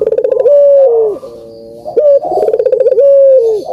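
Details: Loud dove coo used to prompt reluctant caged doves into calling: a rapid rolling burst of pulses slides into a long, smooth, slightly falling coo, repeated twice, with a quiet pause between phrases.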